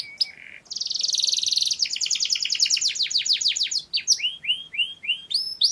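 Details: Canary singing for mating: a fast buzzy trill, then a long series of rapid descending sweeps repeated several times per second, ending in short upward-curving whistled notes; all high-pitched, with faint background hiss.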